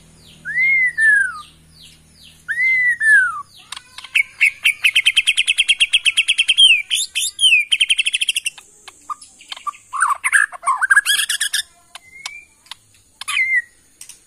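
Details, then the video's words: Bornean white-rumped shama, a bird from the Kalimantan forest, sings two loud arched whistles, then a long fast stutter of repeated clicky notes, followed by varied swooping whistles and chatter. "Bikin Murai lain EMOSI!! ~ AKSI murai batu BORNEO ori Hutan KALIMANTAN"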